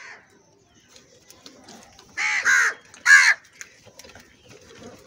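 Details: Crow at feeding time giving three loud, harsh, hoarse caws in quick succession, two close together then one after a short pause, over a quiet background with faint rustling.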